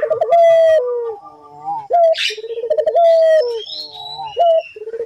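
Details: Collared dove (puter) calling, used as a lure to get other doves to call: steady mid-pitched tonal coos alternating with rolling, pulsed trills, with a brief harsher rustle in between.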